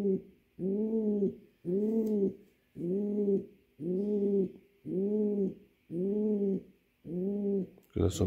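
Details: Male pouter pigeon calling to a female for mating: low, rounded coos repeated about once a second, seven full phrases in a steady rhythm, ending with a brief sharp knock.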